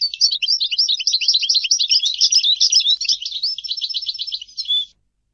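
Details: European goldfinch singing a continuous, high, tinkling twitter of rapid liquid notes and trills. It runs for about five seconds and ends on a short, clear whistled note, with a quiet background.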